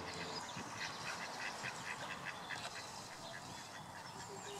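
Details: A female mallard with her young on their first water outing greets the visiting drake with a quack; short nasal quacks repeat irregularly over a few seconds amid other calls and noise.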